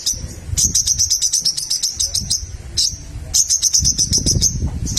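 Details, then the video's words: Little spiderhunter (sogok ontong) in eager song, used to stir rival birds to sing: rapid series of high, sharp chips in long runs, with low rumbling noise in the background. "SOGOK ONTONG GACOR MEMANCING LAWAN JADI BUNYI"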